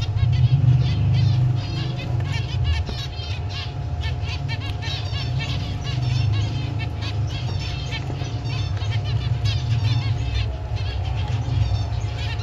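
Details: A family flock of snow-white zebra finches keeps up a constant stream of short, nasal, beeping chirps over a steady low mechanical hum.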